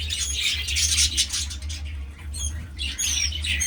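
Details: Breeding budgerigars keep up a continuous, noisy chatter of raspy warbles and high squeaks, several birds calling at once over a low electrical hum.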